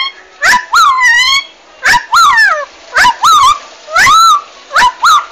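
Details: Paddy-field bird said to sound like swearing, "asu ya": loud nasal rising-and-falling notes with rich harmonics, paired phrases repeated roughly once a second, with sharp clicks between.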